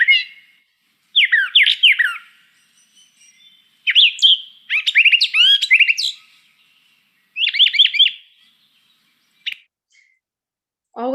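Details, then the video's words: Brown thrasher song, each phrase repeated only twice: clusters of bright, chirpy, rapidly slurred notes, each phrase given as a pair, with short pauses between and a brief low sound at the very end. "the brown thrasher on the other hand only repeats things two times"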